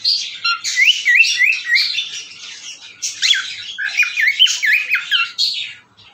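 A cockatiel whistles in quick, looping phrases of rising and falling notes mixed with raspy chatter.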